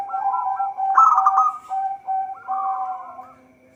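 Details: Local zebra dove singing, recording meant as a lure for trapping: overlapping cooing trills and clipped notes, with a lower steady tone beneath, several rolling phrases that fade out by the end; constant faint high hum.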